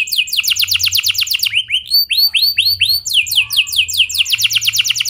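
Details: Canary singing vigorously in a clear rolling song meant to prompt other canaries to sing: rapid buzzy trills of repeated notes alternate with a slower run of sweeping upslurred whistles, over a faint low hum.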